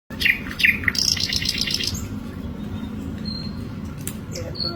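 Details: Asian brown flycatcher singing: a few short sharp chirps near the start, then a buzzy, rapidly pulsed high trill and scattered thin whistles, over a steady low background hum.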